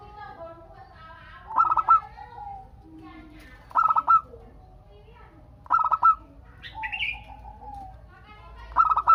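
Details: Local zebra dove singing eagerly as a lure so other doves call back. Five quick bursts of staccato, bell-like cooing pulses come roughly every two seconds, with a higher chirp from another bird in between.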